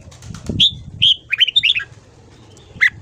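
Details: Red-whiskered bulbul morning song from a voice-training recording, clear whistles leading into a rapid run of falling warbled notes and ending on a single loud whistle, with some soft thumping at the start.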